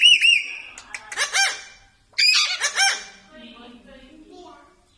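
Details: Parrot, a pet, giving a series of harsh squawking and croaking calls in two bursts, some voice-like with stacked tones, followed by quieter low murmuring.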